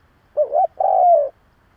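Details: Single cooing phrase from a decoy spotted dove used to provoke other doves: a short wavering two-part note, a brief pause, then a long sustained mellow coo tapering downward.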